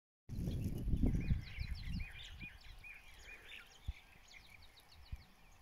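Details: Partridge (teetar) chicks giving thin, high, rapidly repeated chirps, many overlapping, over low rumbling handling noise and rustling.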